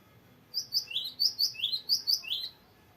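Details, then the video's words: Rolling song of a persistently singing cinereous tit, a long varied phrase suited to training other birds: about ten rapid two-note units, each a high clear whistle followed by a lower falling note, at an even pace. "GELATIK BATU GACOR NGEROLL PANJANG BERVARIASI"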